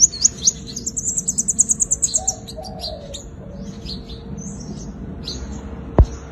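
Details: Sunbird giving its fighting song, used as a lure to trap wild birds: a fast, very high, bright trill of about fourteen evenly spaced notes, then scattered thin chirps and short twitters, with one sharp click near the end.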